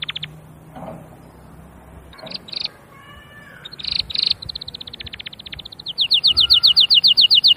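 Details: Canary singing: faint scattered chirps give way to a long buzzing roll of rapid notes, then a fast series of bright, sharp, evenly spaced trill notes, about four per second, with a soft low hum underneath.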